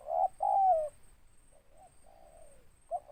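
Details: Spotted dove, a local bird described as big-voiced, 'ngeruk' style with a 'tindan' note: a short coo, then a longer coo sliding downward, followed by a softer drawn-out trailing coo. A faint steady high tone runs throughout.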